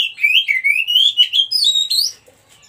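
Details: Oriental magpie-robin of the white-breasted form, wild song used to tutor stressed birds: one continuous phrase of clear whistled notes, wavering and gradually rising in pitch, closing with higher sliding notes.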